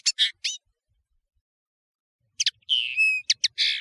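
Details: European serin, known as nino in Algeria and kamacho in Morocco, on a clear training recording: three high chirps, about two seconds of silence, then a burst of buzzy trills and a thin sliding whistle.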